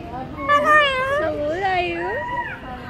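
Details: Umbrella cockatoo talking: a loud, speech-like voice with wavering, rising and falling tones running continuously for about three seconds, with no other clear sounds.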